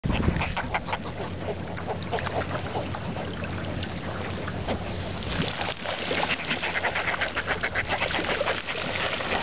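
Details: Northern fulmars squabbling over chum offshore of Westport, Washington: many birds at once in a steady stream of harsh, guttural cackles and clucks over a low boat-engine hum.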